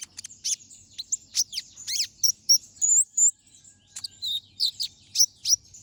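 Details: Sharp, high-pitched twittering from a brown-throated sunbird singing vigorously in the ngobra style, meant for training other birds; quick slurred chirps and a short whistled run, then a pause and renewed bursts.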